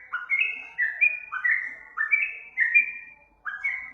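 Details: Short burst of sooty-headed bulbul lure song: paired rising-then-level whistled notes in quick succession, pausing briefly before a final phrase.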